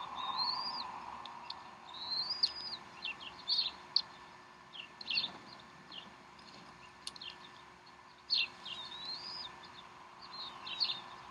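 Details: Bald eagles at the Decorah nest, mother feeding the young a snack at 3:10 pm Central Time on 12 April 2012; high thin wavering whistles and sharp chips come in scattered bursts over a steady low hum.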